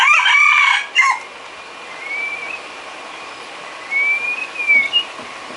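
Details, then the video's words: White-rumped shama filler song for cage-bird training: a harsh rasping burst opens, followed by sparse, clear, slurred whistles rising and falling, separated by quiet pauses. "Isian kicau burung murai batu"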